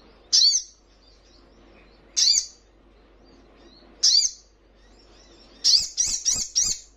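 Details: Sogon, or crimson sunbird, recorded to provoke caged birds into answering and quivering wings: three sharp high chips spaced about two seconds apart, then four quick ringing notes in a row.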